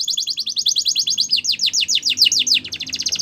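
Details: Border canary song used for training young canaries: rapid trills of sweeping notes, fast repeated down-slurred phrases shifting into rising and falling rolls, all high-pitched and continuous.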